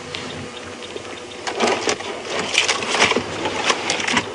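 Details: Steady mechanical rumble and broadband rattling from a moving vehicle on an evening safari drive, with irregular clicking bursts and no animal voice.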